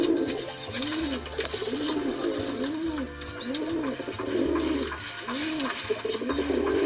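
A pigeon gives low, throaty coos in a steady rhythm, each soft arched note repeating roughly every second, over faint background hiss.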